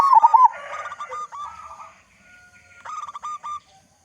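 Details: Local zebra dove lure song: a brief, loud wavering coo at the start, then softer hurried notes mixed with a rough, noisy patch, and a final short run of clipped coos.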